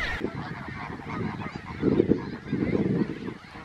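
Glossy ibis giving low, hoarse, grunting croaks in two short rough bursts, deep and goose-like, over a faint background hiss.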